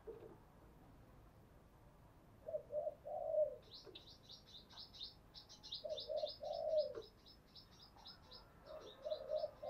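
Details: Spotted dove used as a decoy to lure others, giving its urging, cooing and calling song types; low two-part coos repeated in pairs, while a smaller bird keeps up a fast high twittering chatter in the background.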